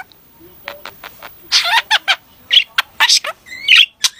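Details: Talking budgerigar imitating human words; a quiet start, then loud clipped speech-like bursts, a few scratchy chirps and a sharp squeak near the end.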